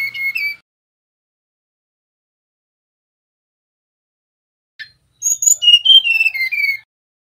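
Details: A male mangrove blue flycatcher's whistled phrase trails off at the start. After a long pause comes a click, then a new phrase of sweet whistles that falls in pitch step by step.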